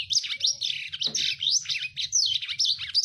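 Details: Lemon-breasted canary delivering its rough, full-speed song for tutoring caged birds: unbroken, very high, scratchy twittering with quick swooping whistles and dense trills throughout.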